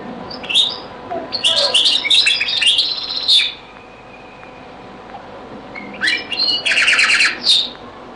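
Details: European goldfinch singing the Beni Messous 'les avocats' (zaboka) style in a very old recording: a burst of quick twittering and buzzy notes, a few quiet seconds, then harsher rapid chattering trills.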